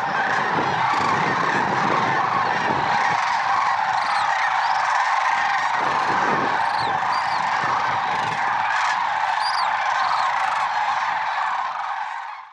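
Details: Dawn chorus of a lesser sandhill crane flock, Merced National Wildlife Refuge, February 6, 2023: unbroken overlapping rolling calls with scattered higher squeals, low rumbling near the start, fading out at the end.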